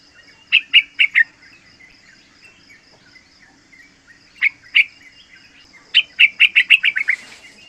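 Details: Three-month-old young yellow-vented bulbul singing, a recording used as a lure and master for training other bulbuls: three short bursts of bubbly chattering notes, a pause, then two notes and a rapid descending run, over a steady high-pitched whine.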